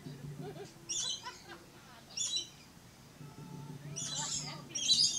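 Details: Captive red-collared lorikeet at Lion Country Safari, Florida, with scattered raspy high squeals and a faint low murmur in the background.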